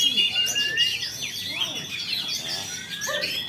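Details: Caged Oriental magpie-robin in Jakarta, Indonesia, after its moult, singing busy overlapping whistles, buzzy chatter and rising glides, several short notes each second, with soft lower squeaks underneath.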